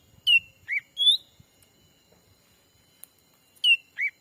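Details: Lure call of the black-capped bulbul, used to draw wild birds in a Sumatran forest. Ringing whistles in two quick groups: falling, dipping and rising notes, repeated after a short pause, in a quiet setting.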